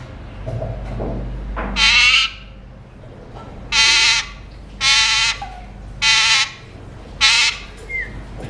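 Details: Alexandrine parakeet, a mutation, between bouts of talking while eating seeds: loud harsh raspy screeches, each about half a second long, repeated five times roughly every 1.3 seconds after a low rustle at the start.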